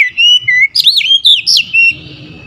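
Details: Oriental magpie-robin in fierce, agitated song: loud whistled notes in quick succession, some looping sharply up and down, trailing off into quieter chatter.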